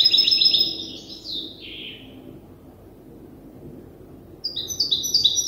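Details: European goldfinch hybrid, young and still learning its song from an older hybrid, twitters a short high phrase ending in a downward slur, goes quiet, then resumes with clipped chirps.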